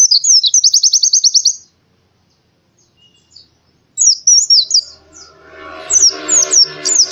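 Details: Oriental white-eye morning song: a fast high trill of repeated sweeping notes, silence, then bright zigzag twitters over a low rumbling background noise.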